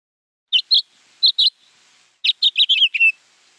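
A house finch sings bright, high warbled notes, first in two quick pairs, then in a fast tumbling run of sliding, twittering notes with many pitch changes.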